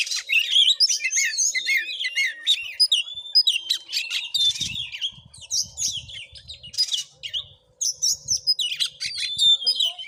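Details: Combative Oriental magpie-robin at a village house in Sungai Rumbai, Muko Muko: fast, jumbled outpouring of whistles, twittering chips and harsh rasps, almost unbroken apart from a short lull near eight seconds; faint low thumps underneath.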